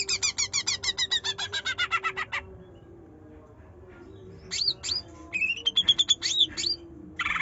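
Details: Trotol greater green leafbird delivering 'nyerecet nembak' chatter to provoke a quiet bird: a long rattle of rapid harsh notes, a pause, then looping whistles and a quick run of bright, rising notes.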